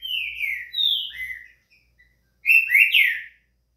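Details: Green-winged saltator (Saltator similis), song.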